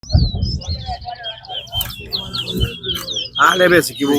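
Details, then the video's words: Towa towa singing during a bird singing competition at Lamaha Ground: a rapid run of thin, high warbled notes, with people talking and a loud burst of voices near the end. "TOWA TOWA BIRD SINGING COMPETITION"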